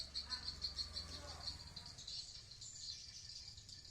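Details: High chirping swiftlets inside a swiftlet house at Blokagung, Banyuwangi, East Java; a quick run of clipped, evenly spaced chirps opens, then blurs into denser twittering over a low background hum.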